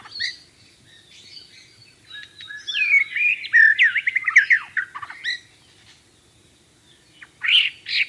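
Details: White-rumped shama singing a varied phrase of rich whistles and fast warbled trills after soft opening notes, then a pause and a brief sharp note near the end.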